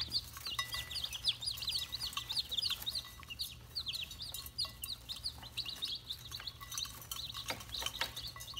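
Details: Several red junglefowl chicks peep continuously: dense runs of brief, high, sharply inflected chirps that overlap and pile up, dropping out briefly before resuming, over a low steady hum and occasional clicks.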